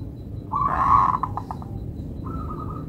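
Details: Local zebra dove singing with a melodious rhythm: a loud rolling coo phrase of rapid notes, then a trailing series of soft pulses, followed by a second, quieter burbling phrase over low background hum.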